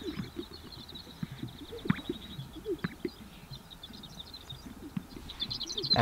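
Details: A dozen to perhaps 30 male Greater Sage-Grouse courting around a blind on a spring lek in southern Wyoming sagebrush steppe, each on its own territory; constant low bubbling pops and plops from many birds, with thin high chirping overhead.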